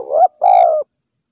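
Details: Low-pitched cooing from a spotted dove, a wild bird pursued with a decoy during trapping. A quick rough double note rises, then after a short pause comes one drawn-out, even coo that sags slightly at its end.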